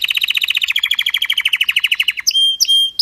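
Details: Canary singing a strong, faultless song used to train other canaries: a fast rattling trill of short high notes slowly dropping in pitch, then two long pure whistled tones at the end.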